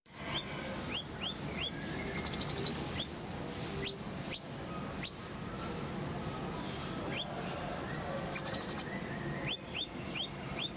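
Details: Van Hasselt's sunbird in a full-fill tutor recording with rolling 'tembakan' bursts: very high, thin whistled notes repeated in quick short series, with a few rapid buzzy trills between clear single chips, over a faint steady background.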